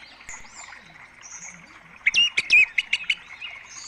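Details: Orange-headed thrush singing as a lure for birds to answer: after quiet twittering, a rapid run of sharp, varied whistled notes, about eight in quick succession over one second, some rising and falling.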